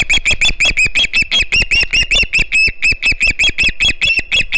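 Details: Noisy juvenile osprey begging for fish at its Hog Island nest, recorded by a live camera on 9 September 2019; continuous rapid shrill whistles, about five per second, each note piercing and slightly arched, unbroken throughout.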